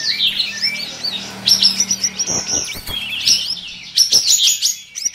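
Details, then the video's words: Caged kapas tembak bulbuls in a singing duel among four winning birds of an online contest, session 1: dense, overlapping high whistled phrases with rapid slurred notes and chattering bursts, loud and continuous, with a faint low hum underneath. "DUEL 4 PEMENANG KAPAS TEMBAK ONLINE SESI 1"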